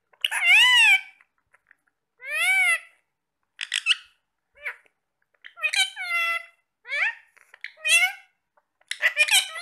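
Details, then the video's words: Pet parrots chatting while eating apple, giving a series of separate arched, whiny word-like calls and short chirpy syllables spaced every second or so, with silence between them indoors. "Talking parrots"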